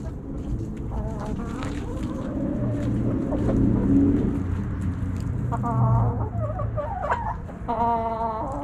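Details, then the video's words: Backyard chickens, hens and roosters, snacking at Thanksgiving; soft low murmuring clucks give way to a few louder harmonic calls near the end over a steady low rumble. "Backyard Chickens Thanksgiving Snacking Sounds Noises Hens Clucking Roosters Crowing!"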